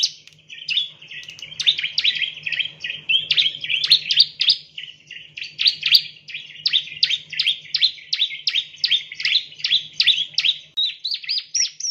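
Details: Bar-winged prinia (Prinia familiaris) giving a steady run of sharp, high chirps, about two per second, with a faint low hum underneath.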